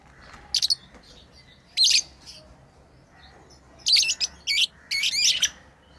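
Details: Lovebirds playing indoors, with scattered shrill chirps and squeaky bursts, some quick double notes, between short quiet spells.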